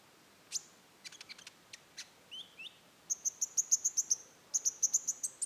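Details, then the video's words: Rufous-tailed shama singing in the roll tembak style: scattered sharp clicks and two short low slurred whistles, then fast runs of high, even, piercing notes, about four per second, with a brief pause between the runs. "suara burung konin roll tembak"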